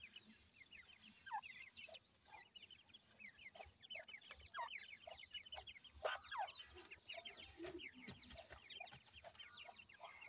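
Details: Grey francolin chicks, known locally as dakhni teetar, with a pair of adults: a steady stream of thin, high peeping notes, many quickly rising or falling, overlapping from several chicks, with soft background hiss.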